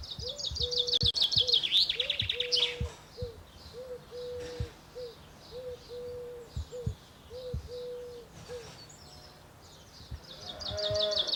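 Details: Unidentified songbird singing in a tree in Normandy: quick, high, bright twittering phrases open and close the passage, while a lower, steady, flat whistled note repeats roughly once per second through the middle, over faint outdoor background noise.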